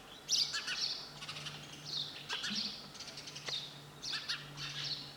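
A sparrow gives bursts of high, sharp chirps and twitters, clustered every second or so, over a faint low hum.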